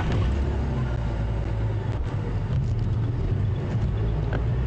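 A loud, steady, low vehicle engine rumble from a sunrise safari drive, with faint clicks and knocks and no animal voices.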